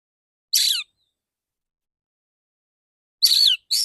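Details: Male white-rumped shama, kept as a songbird, singing two loud, harsh, buzzy bursts with descending sweeps, separated by a long silence.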